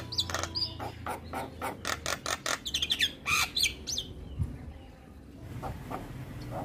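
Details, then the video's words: Javan myna singing in a morning training recording for captive mynas: a rapid burst of harsh chattering pulses mixed with short whistles, then a quieter stretch with scattered chirps over constant low background rumble. "Masteran Burung Jalak Kebo Wajib Putar Setiap Pagi Bikin Jalak Cepat gacor"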